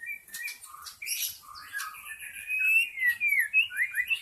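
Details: White-rumped shama from the forest, recorded as a lure for wild birds, sings a varied run of whistled phrases that becomes quicker, rising and falling notes, with some scratchy notes early on.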